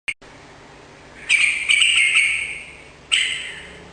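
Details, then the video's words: Sooty-headed bulbul singing in an energetic style, played to prompt a kept bird to answer: a short note, then a bubbly, chattering phrase of warbled notes lasting about two seconds, and another burst starting near the end. "suara burung trucukan gacor || jadikan trucukan mu ikut nyaut dan gacor"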